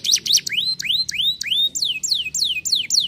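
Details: Canary singing: a loud run of clear whistled notes, most sweeping up and then down, repeated about three times a second, with a few sharper high notes at the start.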